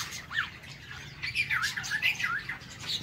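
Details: Brief bout from an aviary White-rumped shama in the morning: a few quick twisting, squeaky warbled notes rising and falling rapidly, over low background hum.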